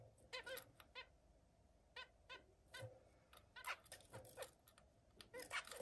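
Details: Zebra finches during repeated mating attempts give a rapid series of short nasal, buzzy honking calls with stacked harmonics, several a second, some overlapping, in a quiet setting.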